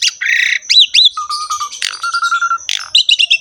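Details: Jalak suren, the Javan pied starling, in lively gacor ngerek song: a harsh buzzy burst, then looping slurred whistles, two long level whistled notes, and a closing run of bright chirps.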